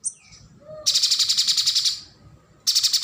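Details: Streaked spiderhunter song, used as a model for training contest songbirds: a faint high thin note and lower whistles, then a loud one-second burst of rapid, buzzy, evenly repeated high chips, resuming at the end.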